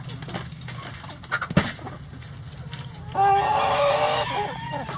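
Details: Morning feeding in a chicken coop: a few quiet clucks and a sharp knock, then a loud, sustained, raspy call lasting nearly two seconds with a low hum underneath.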